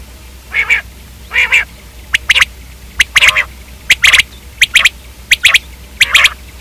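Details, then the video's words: Common quail starting with two drawn-out buzzy nasal calls, then switching to quick triplets of sharp, clipped notes repeated at a lively pace, over a low background hum. "Common quail video|Quail k hobsort awaz|Quail/Batair|Batairawaz"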